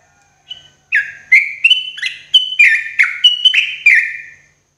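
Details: Morning therapy song for caged birds by a sooty-headed bulbul: a short intro note followed by a rapid bubbly series of slurred whistles that rise, drop, and end on a falling tone.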